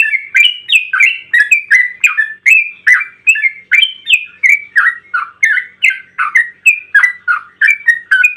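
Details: Rapid 'ropel panjang' song of an excited yellow-vented bulbul, played to provoke other bulbuls into answering: an unbroken stream of short liquid chirps and slurred whistles, roughly three each second, varying up and down in pitch, clean background.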